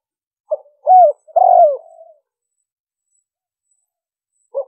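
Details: Spotted dove calling in liêu ròng style for luring wild birds: a clipped note, a looping hoot, then a long wavering coo trailing downward. After a long silence, the next phrase begins at the very end.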